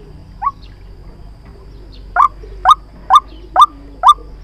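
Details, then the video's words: Trapping decoy sound of a white-breasted waterhen: a single rising croak, a pause, then five strong upswept notes repeated about every half second. "Tiếng chim quốc Mồi chuẩn dùng để bẫy"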